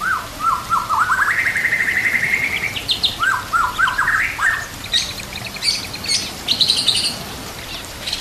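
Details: White-rumped shama song used as a master recording to train other shamas, mixed with trickling water: a fast series of descending chirps sliding into a long sustained tone, then varied phrases and high scratchy notes, over steady hiss.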